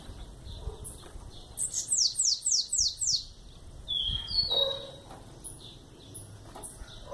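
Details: Young 11-month-old bananaquit giving its "chow": a quick series of five high, descending, slurred notes, followed by a few thin whistles, against a quiet hiss.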